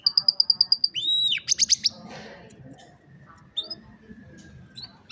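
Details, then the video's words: Singing canary, cellphone recording meant to train a lazy canary: a quick string of high pulsed notes, an arching whistle, a burst of rapid trill, then scattered short chirps over faint background rumble. "Canción Canaria para Cantar Canario Perezoso Entrenamiento | Canary Singing"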